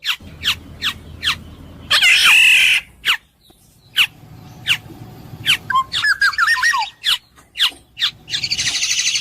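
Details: Black-naped oriole repeating short, sharp downward-slurred notes at an uneven pace, broken by two loud rasping squawks and a brief run of warbled twittering, with faint low rumbling behind.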